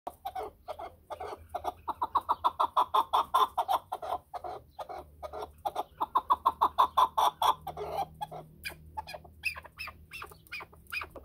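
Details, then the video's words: Chukar partridge giving long runs of fast, harsh clucking notes that swell into dense chuckling bursts, pause briefly, then resume. "chakor ki awaz //چکور کی اواز"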